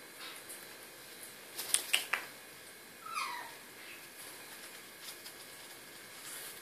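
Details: Two pet Sun conures (Aratinga solstitialis) being caressed indoors give a few sharp squeaks, then a short, soft, rising chirp, all quiet and close in a small room.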